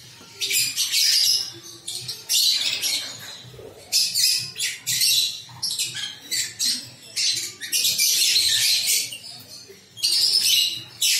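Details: Several pet lovebirds kept together give harsh, shrill screeches in dense overlapping bursts, each lasting about a second or more, with short quiet gaps in between. The chorus is loud and high-pitched throughout.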